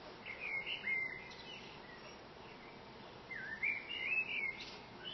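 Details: Common blackbird singing from a branch top outside a window: two fluting warbled phrases around two seconds apart, each mellow and slurred, rising then falling, over steady faint background hiss.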